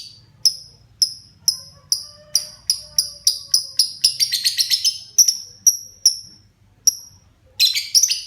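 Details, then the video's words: Pet lovebird beginning to sing in full voice: repeated sharp high ticks speeding into a dense shrill chatter, a few spaced ticks and a short pause, then another harsh burst. "Burung LB mulai gacor"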